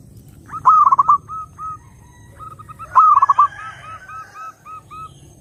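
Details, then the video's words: Zebra dove song for luring doves: two loud stuttering trilled bursts, each trailed by rows of gentle, evenly spaced short whistled notes. "SUARA BURUNG PERKUTUT _JERNIH_💯AMPUH_SEKALI PUTAR SEMUA PERKUTUT LANGSUNG NYAMBER"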